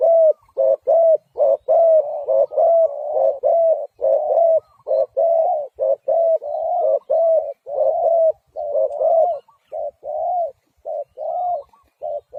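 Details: Spotted dove in a continuous stream of rapid, hollow coos, about seventy a minute, some notes burry or arched, running without pause for twelve seconds in clean, quiet surroundings.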